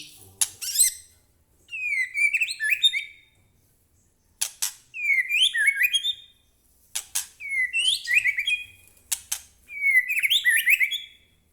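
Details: White-rumped shama in energetic full song, used as a lure to provoke captive shamas into singing: four bursts of sharp clicks followed by rich, rapid whistled and warbled phrases, separated by short pauses.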